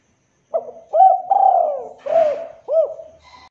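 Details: Local spotted dove (derkuku) in a lure recording for setting off other doves: a low phrase of hooked coos around one long descending note, with a brief crackly noise burst in the middle and a faint click near the end.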